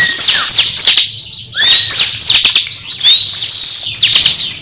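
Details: Crescent-chested babbler competing in song with another caged bird: bursts of sharp high notes and falling sweeps, separated by short pauses, with a long thin whistle in the later burst.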